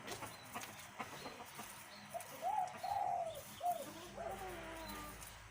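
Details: A dove, likely a caged pet kept for cooing, at a farm of mixed Burmese fighting cocks gives four soft, rounded cooing notes in a little over two seconds, mid-pitched, rising then falling, over a low background hum.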